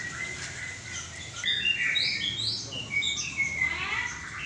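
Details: Somewhat distant white-rumped shama song: flowing whistled and warbled notes, some rising quickly, with a buzzy trill near the end over a noisy background.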